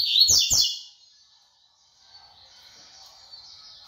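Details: Tui tui style song of a brown double-collared seedeater: two rapid, sharp, high chirps packed into under a second, followed by a long quiet stretch with only faint high hiss.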